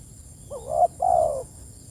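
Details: Single cooing phrase of a spotted dove calling its companions, a brief rising coo followed after a short gap by a longer, gently falling croo, over a faint high hum.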